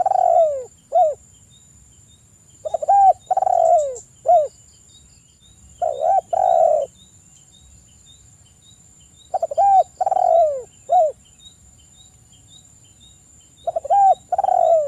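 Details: Spotted dove cooing on a lure track used to prompt untrained and silent doves to sing: phrases of stuttered notes, a hollow coo, a long descending croon and a clipped final coo, repeated several times with pauses; faint high hum throughout.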